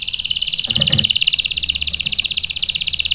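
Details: Canary bait song for provoking a male: one continuous, fast, even rolling trill, high and buzzy, with a brief low rustle early on.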